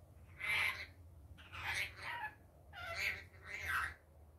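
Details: A rainbow lorikeet, kept as a pet, screeching by day: four harsh, grating squawks, each about half a second, spaced roughly a second apart over a faint low hum.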